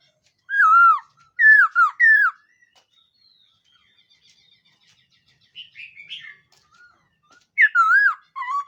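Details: Morning voice-training song of a black-throated laughingthrush: clear, looping whistled phrases in quick groups of three, a pause with softer warbles, then more loud swooping whistles.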